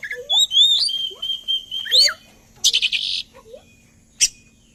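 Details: Oriental magpie-robin song used as a lure to get other birds singing along: clear whistled notes, a long sustained high whistle with rising and falling slurs, low fluty phrases beneath, then a burst of harsh buzzy notes and a sharp click.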